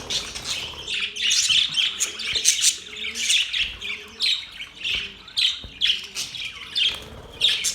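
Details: Budgies chirp happily in pulsing bursts of high, buzzy warbling about once a second, with soft low calls faintly beneath.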